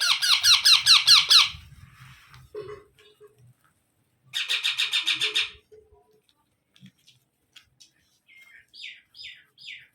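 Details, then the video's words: Baby parrot gives two runs of rapid, raspy squawks with soft rustles and faint voices between, then a few thin, rising chirps near the end. "Baby Parrot Sounds"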